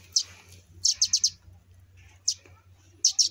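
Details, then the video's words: Young sparrows out of the nest: high, piercing chirps in a quick group of four, then single and paired notes, over a constant low hum. "canto de gorrion"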